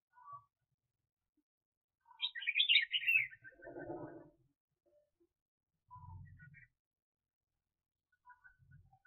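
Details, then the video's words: Red-whiskered bulbul used as a trapping decoy, giving one sweet, tumbling warbled phrase, followed by a lower murmuring burst and intermittent low bumping noises, then near silence. "Chào Mào Mồi [Công Lập]"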